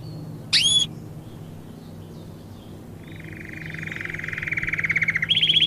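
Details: Domestic canary song for training young birds: one bright isolated note, a pause, then a steady buzzy rolling trill that swells in loudness, switching to a higher trill near the end, over a low background hum.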